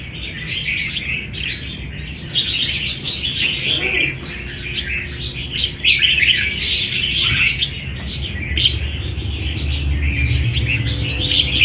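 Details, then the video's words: Red-whiskered bulbul, a wild-caught fighting bird, delivers a run of quick, sharp chirps and warbling phrases throughout, with low rumbling background noise and a faint constant high whine. "Bổi đấu quá tố chất"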